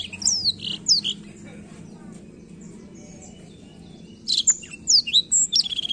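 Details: Black-throated canary song meant to excite young birds: opening phrase of bright, high, rapid slurred notes, a pause of about three seconds, then a renewed string of sharp whistles and chips.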